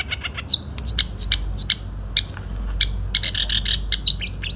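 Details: Caged Long-tailed Shrike, a 2016 national champion, performing in 'satu titik' style: quick high downslurred whistles and short ticking notes, then a dense burst of scratchy chatter, over a low background hum.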